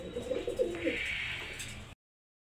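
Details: Pigeons kept indoors: a short series of low, soft cooing notes, then a steady hiss and a faint high tone before the sound cuts off.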